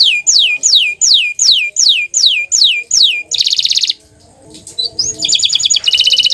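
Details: Green canary: eight loud, evenly spaced whistles each sliding steeply downward, then a buzzy trill, a short quiet gap, and another rapid trilled phrase.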